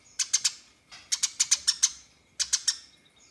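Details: House sparrow fighting and calling rivals: loud harsh chirps in three bursts, each of three to five quick sharp notes, with brief pauses between.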